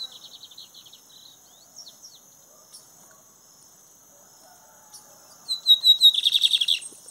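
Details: On a walk, a lined seedeater gives scattered soft high notes, then a sudden loud burst of rapid, buzzy, repeated trilled notes near the end.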